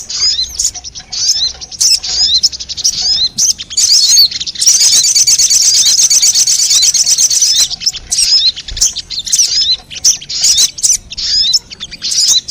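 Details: High, sharp chirps from a crimson sunbird (sogon) lure track meant to pull in wild birds, about one note per second at first, then a sustained buzzy trill midway, then scattered chirps again.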